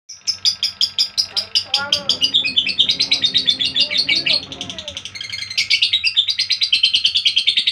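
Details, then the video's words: Lovebird sound used to provoke a male into singing: rapid, high, sharp chirps repeated about three per second, turning into busy twittering chatter, with a lower, warbling voice-like sound in the middle. "Pancingan Lovebird males bunyi"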